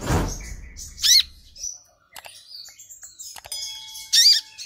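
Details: An agitated, provoked brown-throated sunbird gives two sharp, high, bright chirped bursts about three seconds apart, which may include golden-grasshopper imitation. A loud thump comes at the start, with scattered knocks and clicks between.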